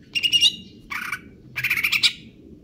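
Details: Greater green leafbird singing in the kejer nembak style: three quick bursts of harsh, buzzy, rattling chatter with a slight ringing whistle inside, separated by short pauses. A faint low hum sits underneath.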